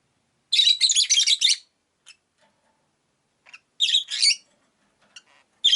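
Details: Caged rosy-faced lovebirds, five birds kept by a window, chirping: two bursts of dense, harsh high chirps in rapid runs, separated by quiet gaps with faint scattered ticks.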